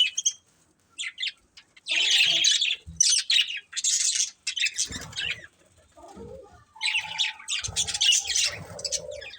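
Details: A family of pet budgerigars chirps in loud scratchy bursts of chatter separated by short silences, with squeaky whistled notes and a held mid-pitched tone near the end, plus occasional low thumps.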